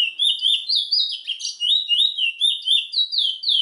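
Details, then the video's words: Trinidad bullfinch (chestnut-bellied seed finch) singing a clear, high whistled song of short sliding phrases, each repeated several times a second with a bright rising-and-falling lilt, with no other sounds. "Trinidad bullfinch MUSIC"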